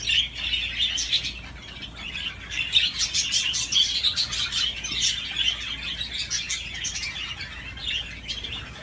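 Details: Budgerigar playing on a swing, giving continuous busy warbling chatter of rapid squeaky chirps and scratchy notes, rising and falling without pause.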